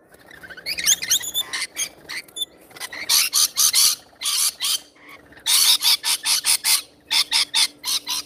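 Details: Rainbow lorikeets at feeding time: loud, grating squawks repeated in quick bursts, several birds chattering together, with short pauses between clusters of harsh calls.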